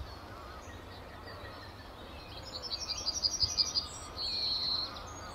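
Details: A male yellowhammer perched in a tree at RSPB Fowlmere on an early morning in late March 2015 gives a quick, accelerating run of about eight high, thin notes, ending in a drawn-out, higher wheezy note over low rumble.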